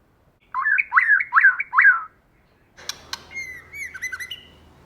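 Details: Female white-rumped shama in forest-style song: three looping warbled notes, then after a pause sharp clicks and a series of thin whistled slurs over background hiss.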